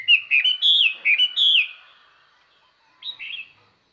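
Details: Decoy Chinese hwamei singing clear, ringing song meant to excite wild birds: a quick burst of sweet, warbled whistles for about a second and a half, a pause, then a short two-note whistled phrase.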